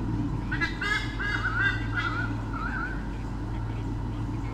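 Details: Nest-camera recording from Sydney Olympic Park, 2013, of a white-bellied sea eagle pair fending off swooping currawongs: a series of hoarse goose-like honks over about two seconds, trailing into a quieter wavering note, under steady hum.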